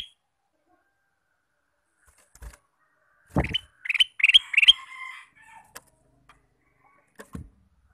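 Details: Male Ruby-throated bulbul singing all day: a short bubbly run of rapid warbled notes around the middle, with faint clicks and knocks before and after.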